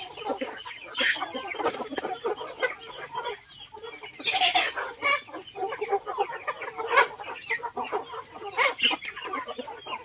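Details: Flock of chickens feeding alongside ducks in a garden, with a busy mix of overlapping clucks and short squawks, scratching and pecking noises throughout, and louder bursts every few seconds.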